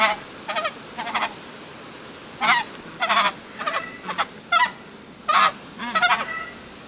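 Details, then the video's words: Emperor geese calling: a series of short, hoarse, nasal honks, mostly single or in quick double and triple bursts, spaced irregularly over several seconds, with several birds seemingly answering one another against a steady background hiss. "keizergans - keizerganzen - emperor - goose - geese"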